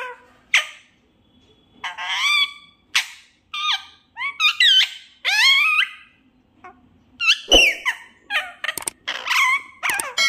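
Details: Indoor desi parrot talking: scattered sweeping, squeaky syllables and mimicked word-like phrases, growing busier and faster in the second half with sharp clicks and chattering notes, no other sounds.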